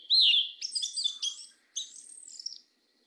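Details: A black Yellow-legged Thrush gives one compact phrase of its 'mateiro do sul' song: a loud warbled whistle followed by jumbled high squeaky notes and a thin trailing ending.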